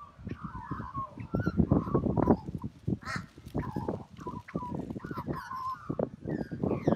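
An Australian magpie carols in rich, fluting and gurgling phrases, mixing mellow warbles with harsher notes, over a steady low rumble.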